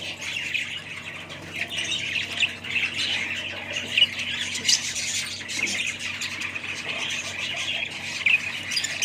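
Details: Budgerigars calling together in a steady, busy chorus of warbling chatter and rasping squawks, many birds overlapping, with occasional brighter chirps poking through at intervals.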